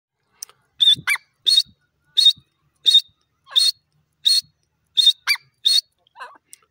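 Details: Grey francolin, a wild bird, calling in a loud series of short, sharp, high notes, about eight bursts spaced roughly every two-thirds of a second, with a few softer lower squeaks in between.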